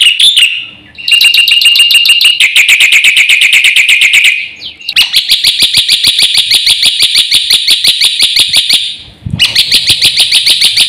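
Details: Black-winged myna singing 'gacor full isian', a full song with fill-ins meant to excite other birds: long rapid trains of shrill rattling notes repeated several times a second, broken by two brief gaps.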